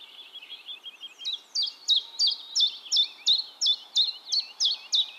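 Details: Common chiffchaff singing in Heemskerk, the Netherlands: a soft, quiet twitter, then a steady run of high, sharp chiff-chaff notes, nearly three per second.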